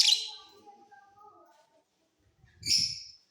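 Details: Mutation lovebirds singing in a flying cage during the off season give two harsh, high chirping bursts, one at the start and one near the end, with faint thin tones and a soft low rumble between them.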